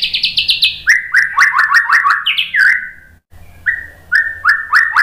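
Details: Lure song of a white-rumped shama, meant to stir other birds to sing: high rapid notes fall into lower repeated slurred phrases and a rising flourish, then after a short gap come spaced, whistled notes repeated at a slower beat.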